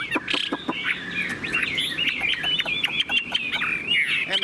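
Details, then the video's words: Chinese hwamei kept in a cage, a very tame bird noted for singing a great deal with a long voice, delivering a dense stream of warbled, twisting whistles with scattered clicks and light background noise. "Họa mi đẳng cấp, chim thuần, hót như 1 cái máy"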